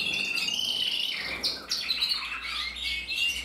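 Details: Canary cock of black-red mosaic colour from German breeding, producing a steady high trill that breaks into buzzy rolls and sliding notes, over faint low background hum.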